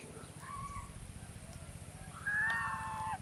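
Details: Swan giving two harmonic honking calls, a short level note followed by a longer, louder nasal call, over a steady low droning hum.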